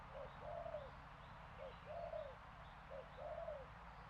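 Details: A spotted dove gives paired coos, a brief note then a longer falling one, three times in a row against steady background hiss and a low hum.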